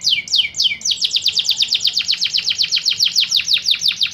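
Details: Canary (Serinus canaria) singing for contest training, opening with three slow down-slurred whistles, then a fast, steady series of sharp descending notes repeated about six times per second.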